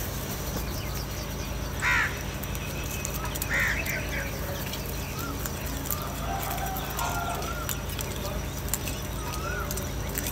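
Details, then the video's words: Crows squabbling over food: two loud, rasping caws a little under two seconds apart, then fainter, lower scattered calls against constant background noise. "Angry kauwa ki awaaz | Crow bird Fight for Food"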